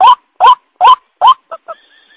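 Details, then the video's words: Four loud, harsh rising croaks of a white-breasted waterhen lure call, followed by two weak short notes and a faint thin tone trailing off. "Suara Panggil Burung Ruak - Ruak"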